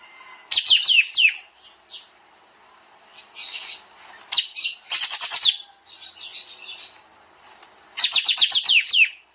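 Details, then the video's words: Bulbul on a songbird-training master recording, 'tembak' style: three clusters of quick, high, sharply dropping chirps in dense series, broken by softer buzzy chatter. "Masteran Burung Kapas Tembak Suara Rapat Nembak Nembak"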